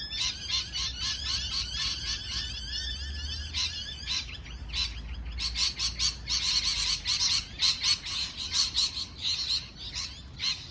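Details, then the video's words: Parrot chattering in dense runs of rasping, rising chirps, then louder, harsh, broadband calls packed closely together. "美丽的鹦鹉鸣叫beautiful parrot chirping sound call"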